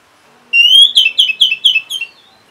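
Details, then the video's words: Orange-headed thrush answering a lure: one rich whistle rises sharply, followed by five quick falling whistled notes, each slightly softer, over about a second and a half. "Reaksi ANIS MERAH Saat Dipancing Suara Ini !! Langsung Nyaut"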